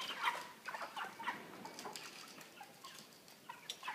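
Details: Broiler chickens weighing 3 kg in a cage with a pan feeder and plastic floor. Scattered short, mid-pitched peeping clucks, sparser than a full chorus, are broken by metallic taps and rustling.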